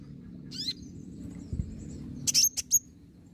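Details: Olive-backed sunbird (kolibri ninja), lure recording meant to draw an answer: a quick descending high trill, a thin drawn-out whistle, then a tight cluster of piercing high chips near the end, with a low hum beneath.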